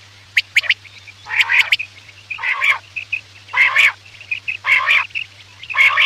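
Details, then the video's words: Night quail call for hunting lures: loud buzzy rasping phrases every second or so, each with ringing whistled notes on top, separated by sharp high clicks, and a faint steady hum below. "Batair ki awaz raat k liye|batair ki awaz shikar k liye"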